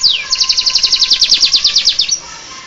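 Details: Domestic canary delivering ciblek-flavoured song, imitating the Bar-winged prinia: one drawn-out falling whistle followed by an even, rapid series of bright, high clipped notes lasting about two seconds.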